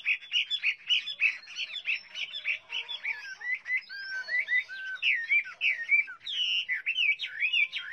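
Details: Chinese hwamei in full song, opening with rapid, evenly repeated whistled notes, then shifting to varied slurred phrases with sharp upward and downward sweeps.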